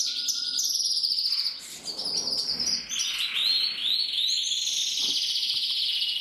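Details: Bred canary in full song, delivering sustained high rolling trills that glide between pitches, with a brief lower whistled note early on and steady rapid chattering repetitions.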